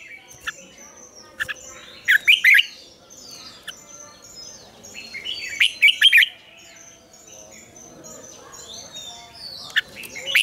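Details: Red-whiskered bulbul singing a mature wild-style double-note morning song, used as lure for training: loud bursts of rich warbled notes around every few seconds, separated by quieter chirps and short whistles from other birds.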